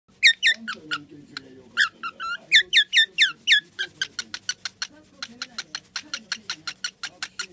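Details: At a house in Oyama, Tochigi, a cockatiel, nearly 23 years old late in life, greets its owner returning from a day-long cycling trip with rapid, repeated whistled chirps and warbling notes, a welcoming song.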